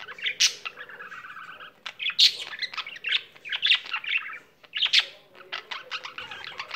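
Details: Pet budgerigar that keeps singing, giving a chattering warble with a buzzy sustained trill early on, then rapid clicks, chirps and sharp squeaks; soft background hum.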